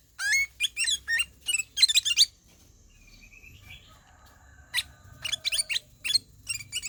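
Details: Ruby-throated bulbul, the kutilang emas, in ngelowo singing: a fast series of crisp chirps, a quieter stretch with faint drawn tones, then renewed sharp chirping phrases.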